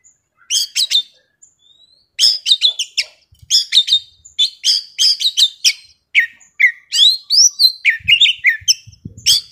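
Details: Young Oriental magpie-robin from the forest in intense song, delivering a fast, continuous stream of varied whistles, slurred notes and scratchy chatter, with brief low thumps near the end.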